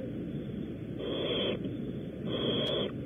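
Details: Barn owls at a California nest at Audubon Starr Ranch during a prey delivery give two rasping hisses, each about half a second long, separated by a pause. A low steady hum runs underneath.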